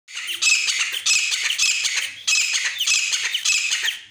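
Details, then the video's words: Grey francolin (desi teetar): loud, harsh, grating squawking calls in two long rasping bursts, each made of rapid repeated notes, with a short break between them. "desi teetar ki awaaz francoline voice"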